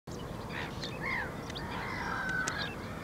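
Little ringed plover giving a thin, downslurred whistle, then a longer, drawn-out whistled note, over a steady rushing background noise.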